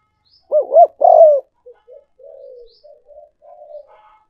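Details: Spotted dove call for luring as a decoy: two bouncing looped notes and a long sliding coo, then a string of soft, low, murmured coos trailing off.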